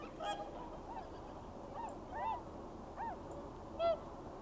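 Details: Swans leaving their winter lagoon roost in the early morning to fly off and feed in nearby rice fields. Several honking, trumpet-like calls, each a short arched note with rich harmonics, given irregularly about once a second over a low steady rumble.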